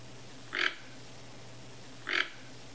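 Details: Toco toucan, wild, visiting a backyard in Brazil in search of food; two short, rough croaking grunts about one and a half seconds apart over a quiet background with a steady low hum.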